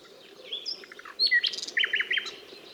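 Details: ['Nightingale phrase mixing thin whistles, a brief burst of rapid notes and a run of quick downslurred notes near the end.']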